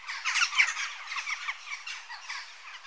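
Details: Western jackdaw calls: a busy stream of harsh, squawky notes, several birds overlapping, densely packed through nearly three seconds with no other clear sounds.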